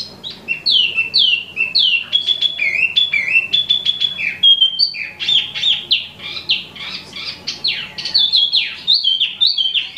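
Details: Wambi Mini, an imported songbird also called Tieu Mi, in full song: a dense, continuous stream of downward-slurred whistles and sharp chirps, bright and varied, with barely any gaps.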